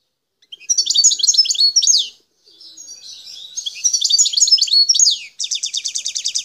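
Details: Wild parva goldfinch singing in the Bouteldja area of El Tarf, Algeria. Rapid liquid twitters are followed by a softer buzzy stretch and more twittering, then end in a quick run of evenly repeated sharp notes.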